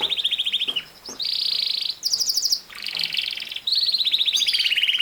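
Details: Canary song made of rapid trills that switch pitch every second or so, alternating between a mid-high rolling trill, a buzzy block and a very high fast chatter.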